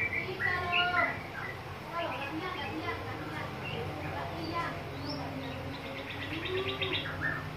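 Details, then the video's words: A young yellow-vented bulbul answers a lure bird with bright, bubbly chattering phrases and quick rising notes, delivered in bursts over a low background hum. "Pancingan trucukan muda jadi ikut nyaut rople"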